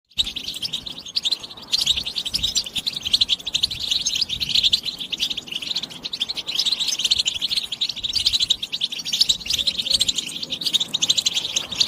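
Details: European goldfinch stimulation song, the style called بتبتة: a dense, continuous stream of bright, liquid twittering and rapid chirps, high-pitched and unbroken for about twelve seconds, with faint low background rumble.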